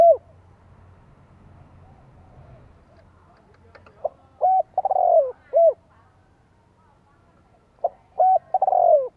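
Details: Lure cooing of a spotted dove in the 'thổ đồng' voice, used to stimulate wild doves and train decoys. Two phrases several seconds apart, each with a short note, a level coo, a descending rolling trill and a closing coo.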